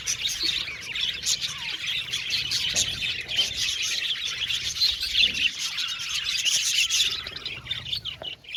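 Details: Happy budgerigars chirping together in an aviary colony: a busy, unbroken wash of high chattering, clicks and short warbled notes from many birds at once, easing slightly toward the end.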